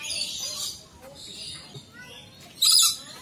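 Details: Lories at feeding time in the walk-in Lory Loft aviary at Jurong Bird Park, Singapore. Shrill, high screeches with a loud harsh burst near the end, over a low murmur of visitors.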